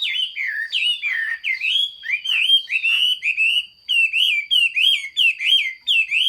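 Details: Loud, continuous hót xuý song from a Chinese hwamei, 15.06.2021: rich, slurred whistled phrases repeated in quick succession, each dipping and rising, with bright overtones and barely any pause.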